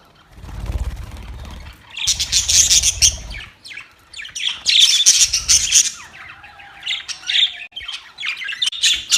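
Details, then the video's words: Budgies squabbling, recorded 25 October 2023: after a quiet low-rumbling start, bursts of shrill chirps and squawks come in loud clusters, with fainter scattered chatter toward the end. "Budgies chirping sounds | Budgies fight"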